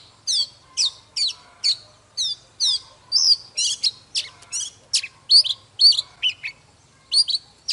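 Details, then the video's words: Morning song of a mature wild-caught Oriental magpie-robin in fired-up condition: bright separate whistled notes and slurred chirps repeated about every half second, growing denser mid-phrase, over a faint low hum. "Chòe than Già rừng hót múa CỰC ĐỈNH || Chòe than Căng Lửa || Kích chòe than HÓT SÁNG"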